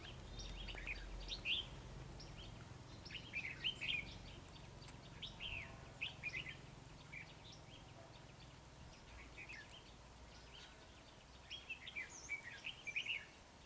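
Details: Red-whiskered bulbul at a trapping site, displaying against a rival; repeated short chattering, warbled phrases scattered through the recording, with quieter gaps and low background rumble.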